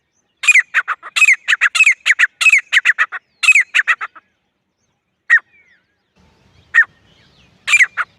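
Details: Jungle partridge, or francolin, known as teetar, calling as a hunting lure: a long stretch of loud grating phrases in quick succession, then a few isolated notes and a final renewed burst.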